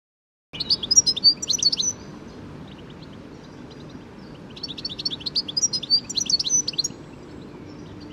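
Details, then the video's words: A European goldfinch, heard in a garden, sings two bursts of bright, rapid twittering, with liquid tinkling notes mixed with buzzy trills and a short pause between them, over a faint low background hum. "Bird Song ID : European Goldfinch"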